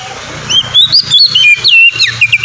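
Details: Oriental magpie-robin singing in the loud ngeplong style, used as a lure to get untrained birds singing quickly: a fast run of clear whistled, slurred notes rising and falling, over a steady low hum.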